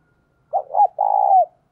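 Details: Decoy spotted dove cooing to lure in wild doves: two short rounded coos followed by one long, steady, hollow coo that drops in pitch at the very end.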